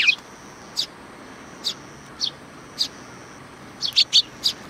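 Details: Sparrows welcoming at a Tenmangu shrine, July 2020: single clear chirps spaced roughly once a second, closing with a quick flurry of several louder notes.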